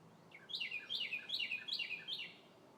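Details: A Northern cardinal sings in trees on a sunny spring day: a quick series of five clear, down-slurred whistles, each dropping sharply, about every third of a second, over faint background hiss.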